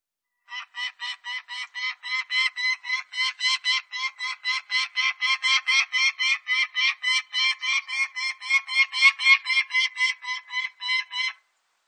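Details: Peregrine falcon giving a long, steady series of harsh, nasal, harmonic notes, roughly four per second, rising slightly in loudness and running for about eleven seconds against a silent background.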